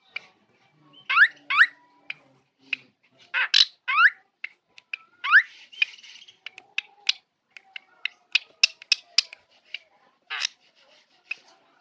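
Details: Black drongo singing, a song known for imitating a cat; a varied run of sharp chips, rising and falling slurred notes and brief buzzy bits, delivered in quick irregular bursts with short pauses.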